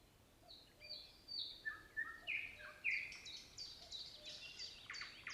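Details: Song of the nightingale: soft piping whistles build to louder slurred notes, followed by a fast, rattling series of high clicks and trills.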